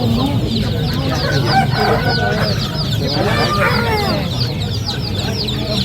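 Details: A large group of ducklings peeping together: a dense chorus of short, high, downward-slurred peeps overlapping continuously over a steady low background rumble.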